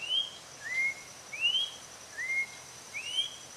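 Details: Orange-backed troupial (joão-pinto, Icterus croconotus), Brazilian bird, singing five clear whistled slurred notes in a little over three seconds, alternating upslurs and downslurs, over quiet background hiss.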